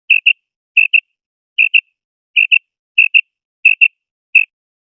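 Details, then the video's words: Female common quail uttering seven sharp double chirps, the final one single, at an uneven pace of about one pair every 0.7 seconds, in silence. "مادہ بٹیر کی کرک | मादा बटेर की आवाज़ | Mada Batair ki kirak | Female Common Quail Raising Call"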